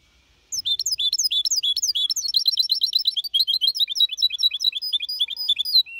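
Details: Goldfinch hybrid (mixto), four and a half months old, delivering clean Malaga-copy song. After a brief silence, dense high chattering notes pour out continuously, with quick upslurs and tinkling twitters.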